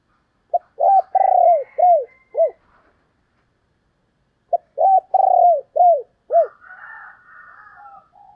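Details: Female spotted dove cooing twice, each phrase a short note, a long soft coo and several falling hoots, about four seconds apart, followed by a faint raspy higher sound.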